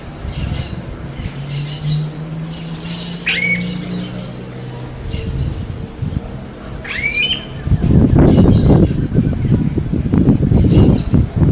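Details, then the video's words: Smooth-billed ani in the wild: scratchy high squeals and wavy whistles early on, with sharp falling chirps, then loud low rustling and thumping noise taking over the second half. "BURUNG KICAU"ANU PRETO"(KICAU MANIA)Full Gacor di Alam liar"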